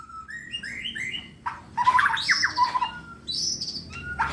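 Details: Contest-ready white-rumped shama singing actively: a short series of rising whistles, then a dense burst of mixed harsh and clear notes, followed by sustained high whistles and a few sharp chips.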